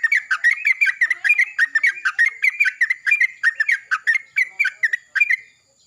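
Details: Yellow-vented bulbul singing in the morning in reply to another bulbul: a fast, loud run of bubbly, liquid notes rising and falling, several notes a second without a pause.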